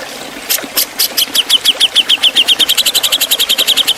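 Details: A Javan cucak jenggot gives a sharp 'ngepik beset' song used for tutoring songbirds. A few spaced chips quicken into a long, fast, even string of about thirty crisp downslurred notes.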